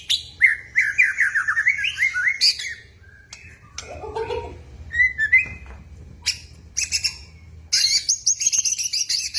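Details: White-rumped shama singing: varied whistled phrases, some rising and falling, mixed with harsher bursts and brief pauses, over a constant low hum.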